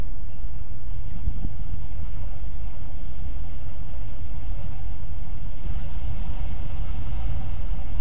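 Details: Steady low rumble of passing traffic or a train fills the recording, with no animal calls heard.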